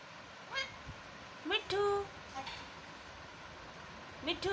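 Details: Pet Indian ringneck parakeet talking: short nasal, harmonic syllables in small clusters near the start, middle and end, with one longer held note in the middle, over a faint steady hiss.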